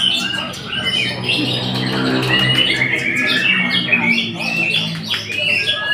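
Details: White-rumped shama singing a dense, varied run of whistled and chattering phrases, mostly high-pitched, with sweeping notes and rapid trills; a faint low steady hum sits underneath.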